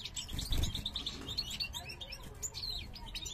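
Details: Brief burst from a caged parva goldfinch male singing while the female checks a new nest in the 2023 breeding season: quick high chirps and twitters, with a soft thump of movement near the start.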